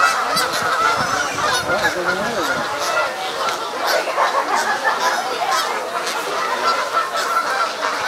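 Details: Canada Geese in Sapsucker Woods, Ithaca, New York, on 17 September 2016, skirmishing and locking together in an unusually intense fight; dense, overlapping harsh honks and squawks from several birds throughout, with rough splashing noise.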